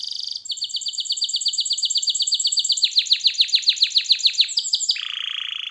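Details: Canary singing for song training, a long fast series of repeated sweeping notes speeding into a roll, ending with a lower buzzy trill.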